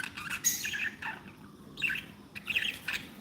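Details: Contented pet budgerigars give quick chirps, grating squawks and a short whistled note in a lively jumble, over faint room hum.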